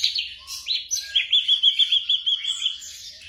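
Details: Night-time training audio of a black drongo for caged songbirds. A few quick chirps lead into a steady, fast series of about a dozen clear, evenly pitched whistled notes that fade out.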